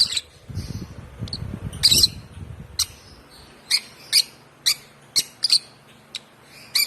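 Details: Young African lovebird, one month old and hand-fed from two weeks of age, repeating bright piercing chirps about every half second after some brief low rustling at the start.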